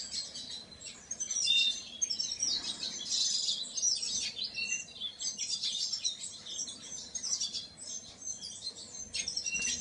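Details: Painted bunting singing a dense, high twittering warble with rapid chirps and trills, nearly continuous across the whole stretch, with faint low background hum.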